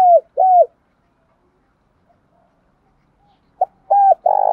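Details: Spotted dove calling, played as a decoy to lure wild birds: two hollow, low cooing notes that bend downward, a pause, then a short clipped note and a further cooing phrase, with a quiet background.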